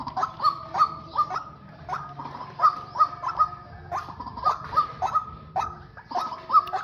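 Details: White-breasted waterhens, a male and female decoy pair used in trapping, giving a repeated clucking call: short notes about every half second in irregular bursts, with a steady low background hum.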